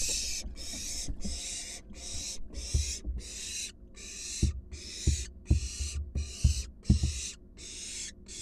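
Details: Wild barn owls in a monitored nest box as an adult delivers a large rat to its fledgling. A long run of rasping, noisy hisses follows in steady rhythm, with soft thuds between them.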